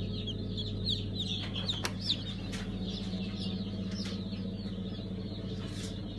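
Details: Many newly hatched Brahma chicks at a hatchery on 5 August 2019 (Kurban Bayramı) peep rapidly and irregularly, a dense high-pitched chatter with occasional louder chirps, over a loud low hum of machinery.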